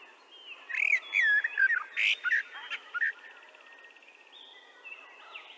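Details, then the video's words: Common whitethroat (Sylvia communis), a warbler breeding in Ireland, gives a brief, hurried, scratchy warble of jumbled chirps lasting about two seconds, followed by fainter twittering from other birds. "Whitethroat | Sylvia communis | Wrabler | Bird song"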